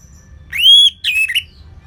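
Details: Orange-headed thrush in ngeplong singing, North Bali: a long, pure, clear whistle held nearly level, then a buzzier slurred phrase ending in a quick upward flick.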